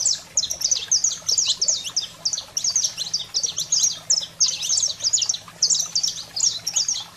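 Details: Saffron finch song played to stimulate and fire up pet canaries: rapid, dense runs of high, sharp chirps and slurred notes, nearly continuous for seven seconds, with a faint low steady hum beneath.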